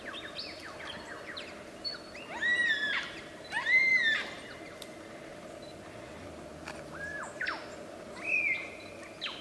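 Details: Wild superb lyrebird mimicry: spaced, arched whistles that rise and then drop, a few clear hooked notes and a short high warble, separated by pauses over steady background hiss.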